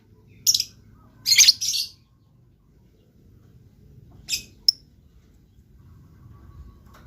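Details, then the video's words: Blue lovebird, a pet bird, chirping: two or three shrill scratchy bursts close together, a pause, then a short squeak and a sharp click-like note. "LOVE BIRD GACOR"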